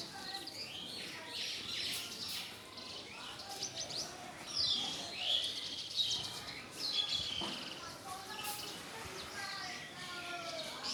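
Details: Several house sparrows dust-bathing in mud inside an Indian cow shed give a busy chatter of sharp, overlapping chirps, sometimes in quick bursts, against outdoor ambient noise.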